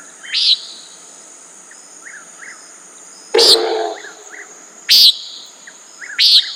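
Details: Common nighthawk calling buzzy peent notes at intervals of one to two seconds, with one loud broad thump midway, plus small chirps and a steady cricket chorus.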